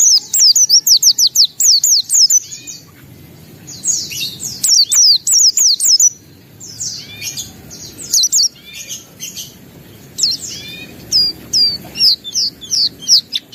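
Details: Pleci, a white-eye, singing energetically with open beak, showing its full repertoire: rapid runs of high, sharp whistles and chattering chirps in several bursts with short gaps between them.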